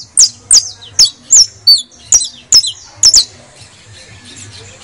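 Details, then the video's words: Singing criollo saffron finch, recorded to prompt other birds to sing: a rapid string of about eight bright, shrill, down-slurred notes at almost three per second, then quiet with low hum. "AUDIO PARA ESTMULAR CANTO DE CANRIO DE TERRA CRIOLLO"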